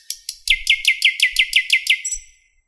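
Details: Thrush nightingale in Park 50-letiya Oktyabrya, Moscow, 11 May 2016, 08:15, repeating one loud chirp about ten times in quick, even succession, ending with a thin high trill. Faint low rumble in the background.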